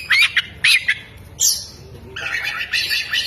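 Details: Oriental magpie-robin singing with its tail fanned, giving sharp squawking notes, a high rising buzz, then a run of scratchy chattering phrases like a lovebird, fairly loud and close.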